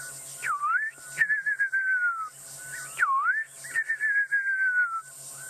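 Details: A fiery-necked nightjar calls in the distance at dusk on 8 November 2016, during an evening safari drive in the African bush. It gives two mellow whistled phrases, each a swooping note and then a quavering run that slides down, about two seconds apart, over a steady background hum.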